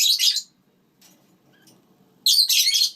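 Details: Pet lineolated parakeets kept with their chicks give two short bursts of harsh, high, scratchy chatter, one at the start and one near the end, with quiet room background between.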